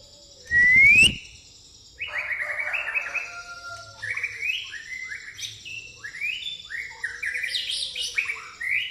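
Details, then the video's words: Shama of the pastol style delivering song filled with fighting sparrow (gereja tarung) mimicry: a loud rising whistle, then rapid series of short rising chirps and scratchy notes in quick succession. "murai pastol isian gereja tarung"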